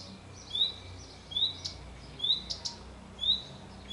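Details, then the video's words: Male common redstart singing on a pear tree gives short, high, upward-sliding whistled notes about every second, with a few faint clicks over a quiet background. "Canto sul Pero ma non cado dal Pero, maschio di Codirosso Comune"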